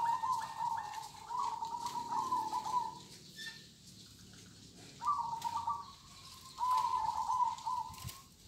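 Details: Zebra dove of the local kind singing kong style: a long fluttering trill of coos, a gap, then two more short bubbling phrases.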